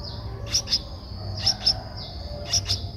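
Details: Streak-eared Bulbul nestling, 11 days old, Ubon Ratchathani, Thailand, 13 April 2023, gives thin, high-pitched begging notes in quick pairs about once a second over a steady high tone, with a low background rumble.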